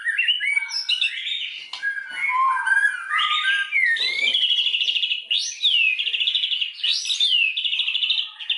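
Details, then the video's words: White-rumped shama singing as a lure to stir rival shamas into full song, pouring out varied whistles and slurred notes that end in fast buzzy trills repeated in bursts. "SUARA BURUNG MURAI BATU, PANCINGAN MURAI BATU BANGKITKAN EMOSI, AGAR BONGKAR MATERI"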